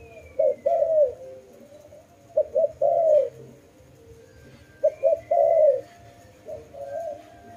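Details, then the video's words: Low cooing from a dove, short double notes then a sustained downward-sliding coo, repeated in three phrases with faint higher whistles in the background. "Lovely dove/ lovey sounds"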